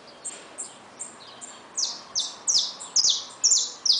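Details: Caged saffron finch with newly hatched chicks: soft, distant high chips open the phrase, then louder, bright, downward-slurred notes repeat about twice a second over low background noise.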